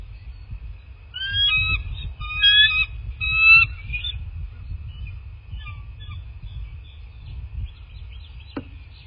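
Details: Bald eagle at its nest in a quiet landscape in southwest Florida, caught by a nest camera: three quick bursts of high, thin, squealing piping notes with harmonics, then a few faint scattered notes over a low rumbling background.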